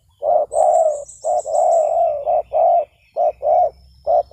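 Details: Spotted dove, known locally as tekukur, recorded as a lure call for trapping doves: steady series of low, hollow coos, short notes alternating with longer drawn-out ones, roughly one per second, with a faint high thin whistle in the background.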